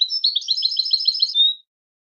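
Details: Goldfinch song from a recording meant to teach goldfinches: a tumbling string of quick, sweet twitters, finishing with a sustained thin whistle. Nothing else can be heard.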